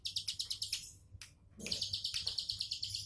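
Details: Ciblek sawah (bar-winged prinia) relaxed tembakan song, with rapid high chirps, a short gap with a lone note, then a dense buzzy trill of repeated notes.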